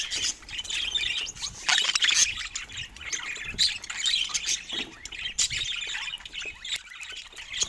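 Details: Pet budgerigars playing together; constant dense high chatter of many birds, scratchy warbles and squawks overlapping throughout.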